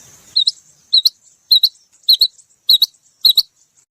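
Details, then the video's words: Female rain quail gives six high double notes, each a quick two-part chip, repeated about every half second against a quiet background. "Female Rain Quail Sound//چڑینگے بٹیر کی مادی کی آواز"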